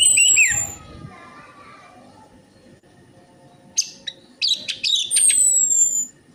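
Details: Orange-headed thrush, played as a lure for birds that sing poorly: a whistled phrase opens, then after a quiet gap comes a cluster of quick, sharp, high chips and short trills.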